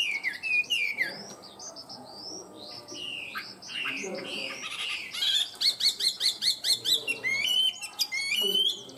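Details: Captive tame Chinese hwamei in full song: complex mixed phrases of slurred whistles, harsh notes and rapid clicking repetitions, ending in brisk, bright looping whistles.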